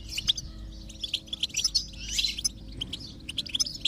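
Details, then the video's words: Goldfinch singing, meant to prompt a quiet goldfinch into song: a busy stream of sharp high chirps, buzzy notes and quick trills, with a soft low hum in the background. "is Your Goldfinch Silent? Give it this stimulation and see the difference"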